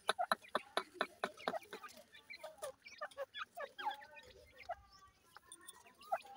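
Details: Dhakni and Irani teetar (partridge) chicks playing and fighting: rapid sharp clicks and pecking taps in quick bursts over the first two seconds, then thin high peeps and short whistled chirps, some drawn out and level.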